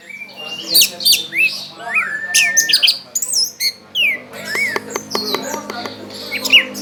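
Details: Orange-headed thrush, a loud contest bird that fans its tail as it sings, in a mix of harsh squawks, long whistled glides and a fast series of clipped notes, with a steady low hum in the background.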